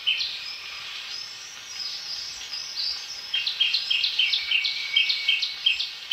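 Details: {'caption': 'Shrike-babbler chirps, first scattered, then a rapid regular run of sharp, high, down-slurred notes, set against a continuous shrill insect chorus.'}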